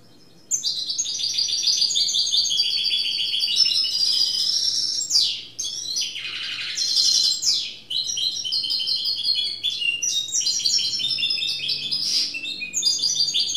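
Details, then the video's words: Loud, sustained goldfinch mule song, singing freely: dense run of bright twittering trills and buzzy warbled notes with a few sweeping rasps, continuing almost without pause. "Goldfinch Mule singing free !"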